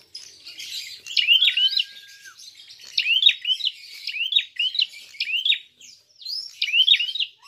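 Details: Fighting call of a prinia, played as a lure to provoke other birds: quick phrases of sharp, sliding high chirps repeated about every second, with a faint long, low whistle early on.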